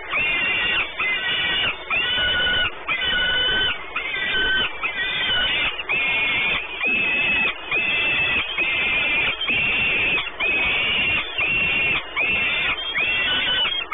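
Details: Peregrine falcons at their nest at Orlen in Płock, Poland, 28 May 2019, calling persistently: a long series of harsh, screeching notes repeated about once a second, fairly regular, with steady background noise throughout.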